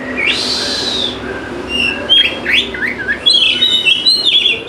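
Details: Oriental magpie-robin lure song for birds slow to sing: a drawn-out harsh buzzy note, then quick slurred whistles and bright piping notes in rapid series.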